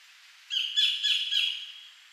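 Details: Collared kingfisher (Todiramphus chloris) calling in 2011 at Bung Boraphet, Thailand: three loud, harsh, grating rasping squawks in quick succession, each about a third of a second.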